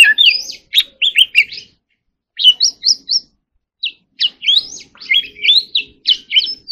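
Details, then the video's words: Song of an Oriental magpie-robin delivered in short bursts of quick, up-slurred whistles and twittering notes, separated by pauses of about a second, over a faint hum. "choè than hót líu || Kacer Gacor"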